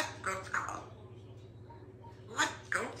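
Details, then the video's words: A female Congo African grey parrot talking on a Sunday morning indoors says "let's go to the pub" in a human-like voice, two short throaty phrases about two seconds apart over a low steady hum. "Grey Parrot says let’s go to the pub"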